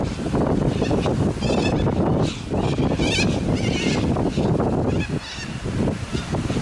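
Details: Large flock of cockatoos in Adelaide, Australia, giving harsh, raspy screeches in overlapping bursts, loudest near two and three seconds, over a constant low rumble of wind or traffic.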